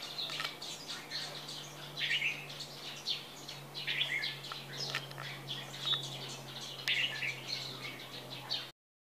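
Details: A moulting captive Red-whiskered Bulbul of the Tây Trà type, kept for a month, gives bright, chirpy chattering notes in quick uneven bursts over a steady low mechanical hum.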